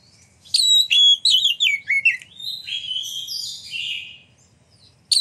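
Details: Loud, varied song of an Oriental magpie-robin, meant to goad rival birds into singing and opening their tails; sharp descending whistles give way to a softer chattering warble, then brief silence before a new phrase begins.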